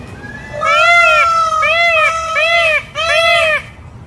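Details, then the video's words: Peacock calling loudly in a sequence of four drawn-out, nasal, wailing notes, the first held longest and the others shorter, over a low steady background. "Naturalis Peacock Sounds"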